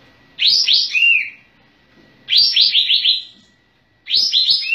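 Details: Actively singing Sooty-headed bulbul with tail spread: quick bubbly chirp phrases, the first ending in a lower slurred note, then a longer run of five chirps, then another burst.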